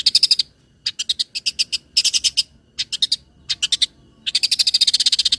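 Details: Long-tailed shrike lure song with fill-in material for tutoring: scratchy, harsh note clusters broken by pauses, ending in a long continuous raspy chatter.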